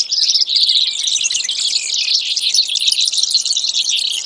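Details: Brewer's sparrow with a continuous high, insect-like buzzing trill that changes speed and pitch across a little over four seconds, in a quiet background.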